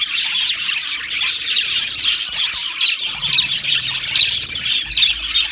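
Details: Colony of Australian budgerigars in an aviary, singing and chirping together: a dense, continuous wall of high warbling, squawky chatter with quick overlapping chirps and sharp clicks throughout.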